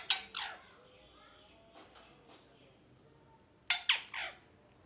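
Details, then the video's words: Pet rose-ringed parakeet chirping indoors: a pair of sharp, grating calls, a long pause with faint soft sounds, then three more harsh chirps over a low background hiss. "Parrot Chirping Sounds"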